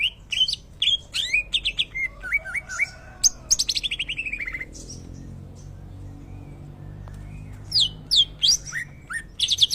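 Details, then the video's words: Greater green leafbird singing in imitation of a shama: rapid varied phrases of sharp chips, downslurred whistles and buzzy trills, then a quiet gap near the middle before a fresh burst of loud, high notes. "cucak ijo rasa murai"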